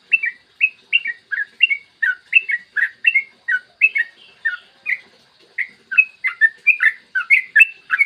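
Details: A yellow-vented bulbul delivers an extended, rapid morning song used as a lure for other bulbuls: a continuous chatter of bright, bubbly whistled notes, briefly pausing before a denser, faster run at the end.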